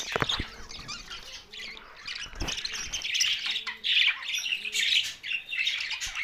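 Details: Budgerigars chirping together: a busy, overlapping chatter of squawky warbles and chirps, rising and falling without pause.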